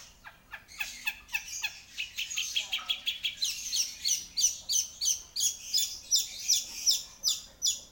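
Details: Long-tailed shrike in full voice: an accelerating series of sharp notes gives way to steady, ringing high chirps repeated roughly three times per second.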